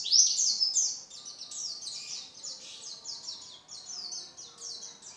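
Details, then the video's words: Oriental white-eye known locally as pleci, in full contest song: an opening loud twitter, then a rapid chain of thin, high, downslurred chirps at roughly two per second against a quiet background. "Burung pleci gacoor full materi"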